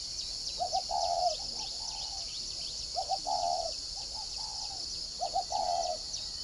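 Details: Spotted dove decoy bird in the whistle-voiced style (giọng còi), giving three repeated cooing phrases, each with short clipped notes leading into a longer mellow coo, spaced about two seconds apart over a steady shrill insect hum.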